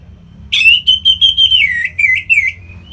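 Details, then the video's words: Orange-headed thrush from North Bali, kept and singing as a lure for other birds; a pulsed whistled phrase of about eight beats, slowly falling in pitch, ending in a thin note. "Punglor Merah Lagi Berkicau.. Untuk Pancingan Bunyi"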